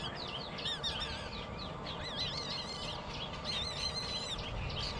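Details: Baby bird begging for food until it falls asleep, mother present: continuous high, wavering chirps and squeals that overlap and rise and fall, over a steady broadband hiss.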